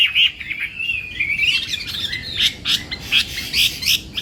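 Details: Chinese hwamei in morning voice training for song contests: warbled whistled phrases, then a series of sharp, separate high notes about one every half second over a noisy background.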